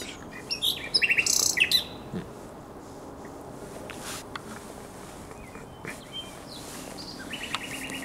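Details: Common nightingale at the Żerań Canal on an April night in 2022, giving a short burst of rasping, clustered notes, then near quiet with faint clicks and, near the end, a brief even trill.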